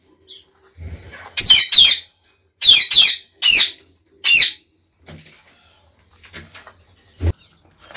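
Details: Caged Chinese quails, seven birds including a white albino, kept alongside a Gould's finch; five loud, high, harsh chirping notes given in quick pairs and singles over about three seconds, with soft rustling and a knock between them.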